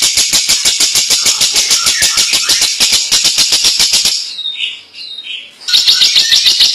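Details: Lovebird singing a long ngekek song with cililin phrases mixed in. Rapid, harsh, buzzy pulses repeat about three times a second for four seconds. After a brief softer break, the high rattling chatter resumes.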